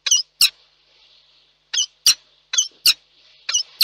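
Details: At a nest in Reda, Poland, a peregrine falcon pair meets after a storm on the evening of 1 July 2022. Loud, harsh, grating calls come in quick doubled bursts, roughly three pairs within four seconds, with a soft hiss between.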